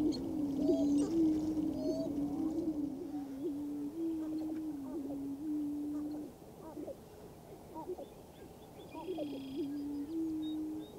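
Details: Displaying male greater prairie chickens on a western Minnesota lek, April 11, 2024, sharing the ground with a sharp-tailed grouse. Deep cooing booms run in long droning stretches that fade near the middle and return, with occasional sharper cackling notes.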